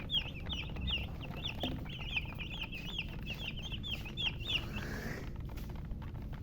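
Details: Baby chicks chirping: a busy series of short, high, wavering peeps, several per second, from more than one chick, over a steady low background rumble.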